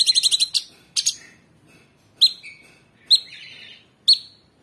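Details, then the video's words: Caged cucak cungkok, or Orange-bellied Leafbird, in 'tembakan' master song for training cage birds: a rapid stuttering burst opens, then sharp downslurred notes spaced about a second apart, each trailing into a lower held whistle. "Tembakan Cucak Cungkok super gacor"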